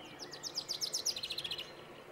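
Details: Male common chaffinch, recorded 22 March 2014 at Planina Gornja, Croatia, sings a quick, bright cascade of descending notes that speeds into a lower rattling trill, all over about one and a half seconds.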